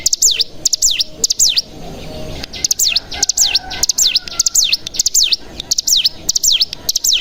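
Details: Bar-winged prinia calls used as a lure to make other birds sing: rapid, piercing V-shaped whistles that slide sharply down and back up, repeated in clusters with brief quiet gaps.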